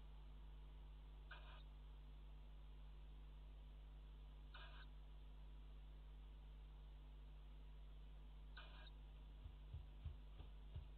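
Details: Tawny owl chicks on a nest webcam, 4 April 2017, grown big enough to feed themselves: three short hoarse hissing bursts spaced three to four seconds apart over a steady low hum, with a few soft knocks at the end.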